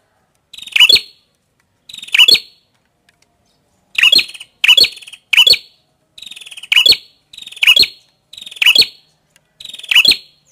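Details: Prenjak kepala merah, a prinia, sings loud phrases of a brief buzzy trill plus piercing high chirps, nine in total, one longer pause early then a faster run of closely spaced repeats.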